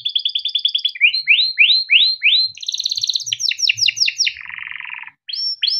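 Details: Yellow canary, a caged male raised in Indonesia, sings a long tutor song: a fast trill, a series of rising whistled sweeps, a high trill, falling sweeps, a low buzzy rattle, then sweeps again.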